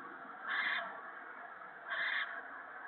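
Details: Owl in a nest during a gopher feeding to owlets, March 2017 evening; two coarse, noisy hisses about one and a half seconds apart against a steady electrical-sounding hum.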